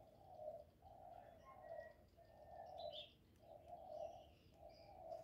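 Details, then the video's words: Rich low coos from a spotted dove singing in the thổ voice, meant to stir males into calling; the notes come in close pairs and runs with short gaps, faint bird chirps behind. "Cu gáy GỌI+THÚC+GÙ hạp bổi kích trống hiệu quả, Cu Gáy giọng thổ, tiếng cu đất.cườm gáy, cu đất gáy"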